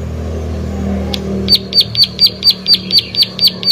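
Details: After a moment of low background hum, a plain prinia starts a steady string of sharp, high snapping notes repeated about twice a second.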